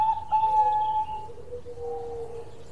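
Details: Local zebra dove singing actively while perched on a branch, giving smooth drawn-out cooing tones, a higher steady note sliding into a lower sustained one, over a low background rumble.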